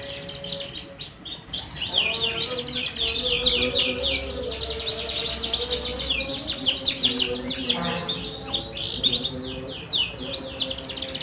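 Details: Canary group song meant to set silent canaries singing: rapid rolling trills of repeated whistled notes, loud and continuous, with faint lower tonal sounds underneath.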